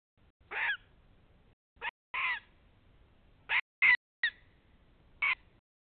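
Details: Greater spotted eagle in Nizhnyaya Kama National Park on the morning of 14 April 2020: seven loud, harsh yelping notes, spaced irregularly about half a second to over a second apart, above a quiet background.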